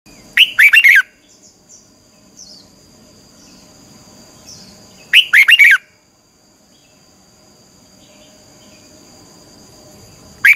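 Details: Red-whiskered bulbul training song in the twisting 'xoắn tít' style, used to rouse birds to fighting form: three short bright warbled phrases of quick rising-falling notes, about five seconds apart, over a steady thin high whine and quiet low rumble.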